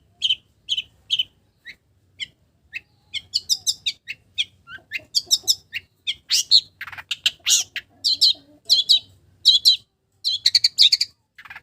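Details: Long-tailed shrike song mimicking village birds, opening with spaced high whistled notes that build into dense, scratchy chattering phrases and quick mixed chirps.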